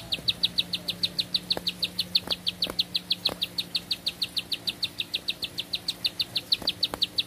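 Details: One sustained bar-winged prinia song, a relentless series of high sharp notes, about five a second. A few faint clicks and a low tone sound in the background.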